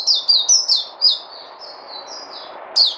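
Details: Caged songbird singing high, thin chirped notes in quick bursts early on, then softer warbling phrases and a final sharp note, over a steady low hum.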